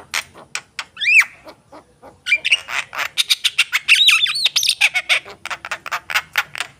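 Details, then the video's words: Javan myna singing actively: a run of harsh squawks and rasping notes mixed with a few rising and falling whistled phrases and rapid clicking chatter, with no other clear sounds. "jalak kebo gacor"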